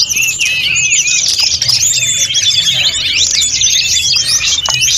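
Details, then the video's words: Snowy-browed flycatcher delivering packed, fluting song for tutoring other songbirds. A steady torrent of high slurred whistles and sharp twitters continues throughout with no gaps. "Masteran sulingan gunung full isian || Tledekan gunung gacor || Sulgun nyuling-nyuling"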